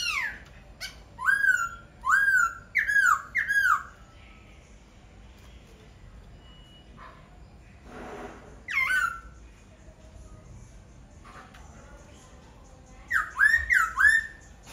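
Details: Laughingthrush repeating a series of rising-then-falling whistled phrases roughly every half second, pausing, one more phrase near nine seconds, then a final burst of four similar whistles.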